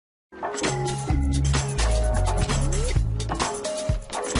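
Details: Loud music with deep bass notes, a rising slide and percussive hits throughout, and no animal voice.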